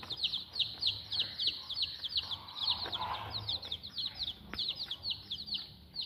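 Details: A group of week-old native village chicks calling nonstop, thin high peeps dropping in pitch and tumbling over one another in quick succession, with soft background rustling and one sharp click.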